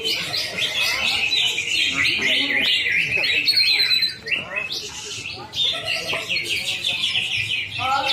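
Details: Greater green leafbird in a mock songbird contest, delivering fast, jumbled high chirps, slurred whistles and trills in near-continuous bursts, with short pauses around the middle and faint human voices behind.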